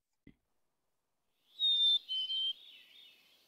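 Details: Black-capped Chickadee song: two clear, pure whistles, the first held higher and the second stepping lower, like 'fee-bee' (some say 'phoebe'), after a soft click.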